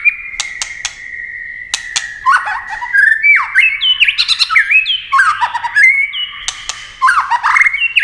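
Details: Speed-singing white-rumped shama flicking wings and tail: a sustained whistle broken by sharp clicks, followed by fast varied swooping whistled phrases and harsh notes.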